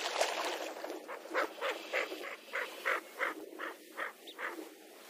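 A lesser scaup gives a fast run of harsh, raspy notes, about three a second, over a steady hiss of background noise.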